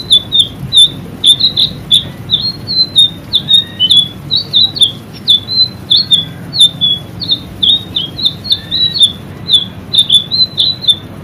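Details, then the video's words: White-rumped shama song from a training recording for caged birds, the bird singing constantly. Short bright chirping notes at a fairly high pitch follow each other rapidly and evenly for the whole stretch, with a few quiet lower slurred notes. "masteran burung murai selendang biru gacor"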